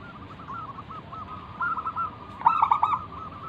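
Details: Local zebra dove singing actively, used as a lure to make other doves call back: faint, wavering background cooing, then a loud burst of stuttering, rolling coos near the end.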